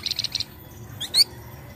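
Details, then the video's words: Untrained Flamboyan bird song played to coax other birds into singing: a few soft, rapid high pips, a pause, then one sharp rising whistled note. "PANCINGAN BUNYI FLAMBOYAN BAHAN"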